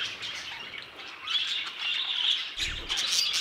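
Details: Aviary budgerigars twittering together, the chatter swelling from soft to louder with a few piercing squeaks near the end and a brief low rumble.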